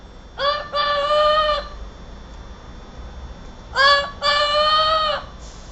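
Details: Parrot talking, recorded in 2009: two bursts of nasal, voice-like harmonic sounds, each a brief clipped note followed by a longer steady tone lasting about a second, separated by a quiet pause.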